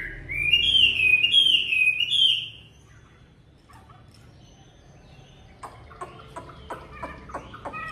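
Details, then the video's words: Chinese hwamei kept indoors at home on a bitterly cold day, feathers not fully grown; a bright run of rising whistled slurs for two seconds, then quiet with soft clicks and short ticking notes. "Chú Hoạ Mi hót ngày rét đậm"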